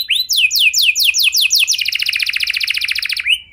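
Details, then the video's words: Canary lure song: a rising opening whistle, a series of clear down-slurred notes about five per second, then a long fast trill ending in a final upslur. "Pancingan Suara Burung Kenari Lagu Unik! Buat Kenari Mana Saja Pasti Ikut Bunyi"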